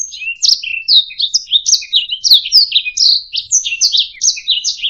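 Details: Master canary song for bird song training: opens with a thin steady whistle, then flows into fast warbling chirps, slurred whistles and looping twitters, dense and unbroken, with faint low knocks in the background.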